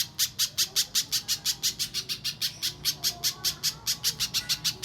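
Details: Clear mbeset song of a little spiderhunter used to train birds for singing contests: a continuous series of loud, high, clipped notes delivered at a brisk, even pace of about three a second.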